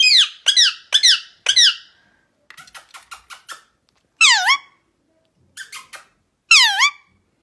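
Indian ringneck parakeets scream in harsh, piercing squawks: four quick ones about half a second apart, a run of short rasping notes, then longer drawn-out shrieks.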